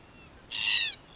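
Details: ['Wild red-tailed black cockatoo, one of a group in Australia exploring and damaging a spy camera, gives a single harsh, rasping, harmonic-rich screech lasting about half a second against a quiet background.']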